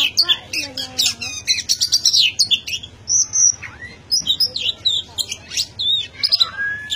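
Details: Nonstop song of an Oriental magpie-robin, a busy jumble of sweet whistles, buzzy trills, short squeaks and swooping notes delivered rapidly with hardly a gap.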